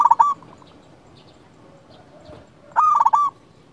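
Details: Local zebra dove singing. The recording opens on the tail of a cooing phrase, followed by a pause with low background noise, then one loud burst of quick, stuttering coo notes.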